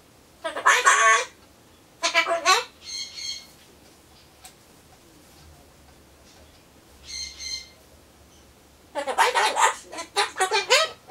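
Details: Pet Solomons corella talking to itself while waiting for pumpkin, in a mood for phrases like 'bye-bye, I'm off' and 'see you'. Harsh raspy bursts near 1 and 2 seconds, brief tonal whistled notes around 3 and 7 seconds, then a rapid run of raspy syllables from 9 seconds.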